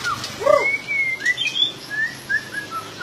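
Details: White-rumped shama whistling: a low arched note and then long, clear, level whistles, followed by a spaced series of soft, slurred phrases over quiet background hiss.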